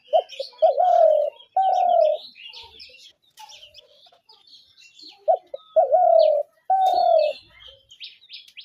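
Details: Spotted dove call used in dove trapping: two phrases of quick short notes followed by two long mid-pitched coos, with other small birds chirping throughout.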